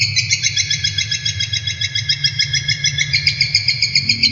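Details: Caged brown shrike in a long-duration training recording: continuous rapid chatter of high, sharp notes near three and a half per second, steady in pitch, over a persistent low hum.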